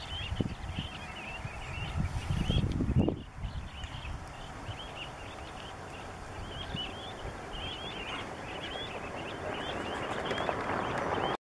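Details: A lone American golden plover near Belvue, Kansas, in the first week of May, gives short, clear whistled notes repeated rapidly and unevenly, over steady wind rumble and a brief low thumping burst near the start.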